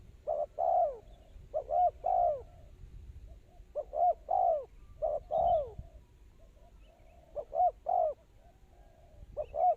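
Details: Repeated coo phrases from a spotted dove used to lure others into traps. A double short note and a long falling coo recur steadily, with softer answering coos in the gaps.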